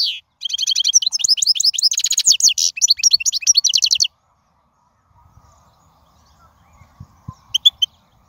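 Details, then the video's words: Wild European goldfinch delivering a dense, fast twittering phrase of high liquid and buzzy notes for about four seconds, then near silence with a few soft later notes. "من أقوى اغاني | طائر الحسون | البرية"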